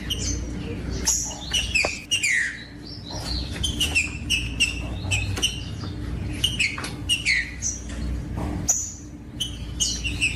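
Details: Trinca-ferro, the green-winged saltator, singing to spur other saltators into song: repeated whistled slurs and falling notes in bursts, with frequent sharp clicks and a low hum throughout.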